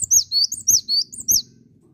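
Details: Close, loud cinereous tit song: five clear, high, downslurred-then-rising whistles delivered rhythmically, about three per second, with faint low hum behind.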